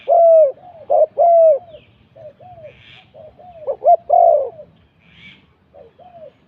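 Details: Decoy spotted dove at luring spot 41 cooing in two bursts of loud phrases, each a short note and a long, falling coo. Softer, quieter coos run between the bursts.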